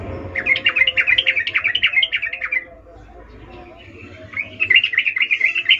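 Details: Energetic call of a wild sooty-headed bulbul, meant to coax silent birds into joining in: a dense run of rapid, chattering notes, a brief pause, then another lively burst, with faint low background rumble.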